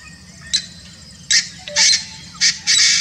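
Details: Painted francolin (Francolinus pictus) in Kanha National Park, Madhya Pradesh, India: harsh, scratchy, squawking bursts, five in three seconds, growing longer and louder, over a low steady background hum.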